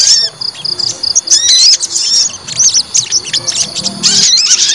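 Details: White-rumped shama, provoked to fight, sings a quick run of evenly spaced high piping notes, then jumbled swooping whistles and chirps, with a faint insect-like buzz behind.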